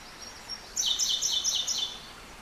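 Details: Eurasian wren song recorded at Kita-Karuizawa: a high, sharp run of rapid descending notes repeated in quick bursts, about six loud elements over two seconds, preceded by thin faint tones, with soft background hiss.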